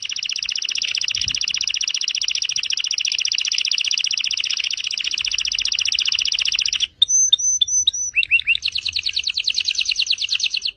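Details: A canary in full, continuous song, meant for teaching other songbirds. A long, very rapid, even trill lasts about seven seconds, followed by short clear whistles, a few dipping notes and a final rolling buzzy trill.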